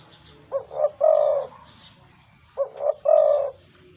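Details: Wild-caught spotted dove kept as a decoy bird, noted for its deep voice. Two coo phrases about two and a half seconds apart, each with two short notes and a long rolling final coo.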